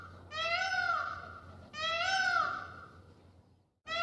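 Indian peafowl giving two loud, nasal, wailing calls about 1.5 seconds apart, each a drawn-out cry rising then falling, with a third starting at the end.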